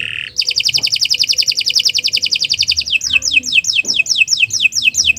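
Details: Canary song for training other birds: a brief low note, then a fast buzzy trill of about two and a half seconds, followed by quick repeated downward-sweeping whistles.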